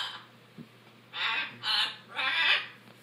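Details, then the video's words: Three loud, harsh macaw squawks in quick succession after a quiet start, part of the noisy, aggressive squeals and goose-like noises of these macaws. "Noisy macaws"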